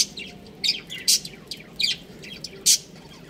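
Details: Breeding pair of pet budgerigars chirping: short, bright, high-pitched chirps and squeaks in irregular bursts, about five sharp notes over three seconds, over a soft low background hum.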